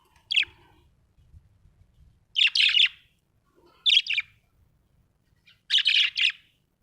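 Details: Happy budgerigar chirping: four short bursts of bright, scratchy chirps, each about half a second long, spaced one to two seconds apart, with quiet low rumble between them.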